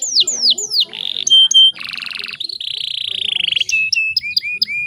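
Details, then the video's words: Female canary in breeding condition, used as a lure to provoke males to sing: descending whistled slurs, a harsh buzzy burst, a long steady trill, then short rising upslurred notes repeated about every quarter second. "PANCINGAN KENARI BAHAN PALING DINCARI"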